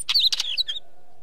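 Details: Short wheatear phrase: grating clicks interwoven with quick high whistled slurs, fading out after under a second, then quiet.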